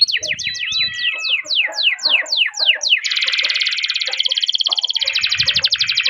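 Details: Canary song for prompting other canaries: a string of falling whistled sweeps followed by a long dense buzzy rattle, with faint low thumps.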